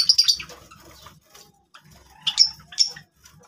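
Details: Java sparrows calling: a quick cluster of high squeaky chirps, then two bright piping notes after a pause, with faint low tapping sounds.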